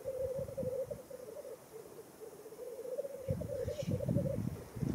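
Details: Wild black grouse displaying at their lek, World's End, Wales, April 2017: a clear unbroken bubbling, cooing roll that swells and dips, with low gusty rumbling in the background.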